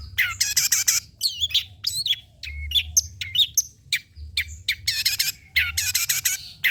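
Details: Long-tailed shrike song, used as a lure and tutor song: harsh buzzy rasps alternating with twisting, looping whistled notes, delivered in quick bursts.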